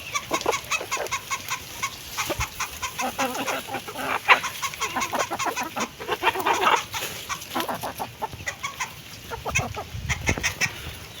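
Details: Chickens clucking while eating food: irregular brief clucks over dense clicking pecks and scraping sounds throughout.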